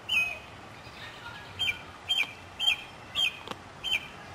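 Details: Northern mockingbird in a city neighbourhood in South Carolina, spring 2008, repeating one sharp slurred chirp roughly twice a second, six times in a row, with quiet background between notes.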